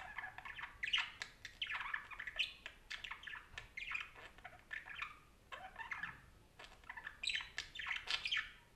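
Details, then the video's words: Long run of parakeet chatter: phrases of harsh squawks and warbled chirps repeated roughly every second, with a short lull before the final bursts. "Som de periquito conversando"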